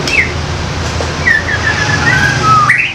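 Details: Young wild forest White-rumped shama, loud 'koar koar' calling used to lure others: a few slurred whistles near the start, then a long, level, wavering whistle and a rising end note over steady low hum.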